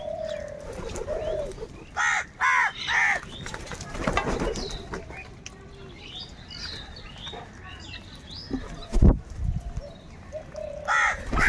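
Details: A huge flock of crows squabbling over food gives a burst of three harsh caws, then thuds, wingbeats and scattered chirps, with another caw at the end.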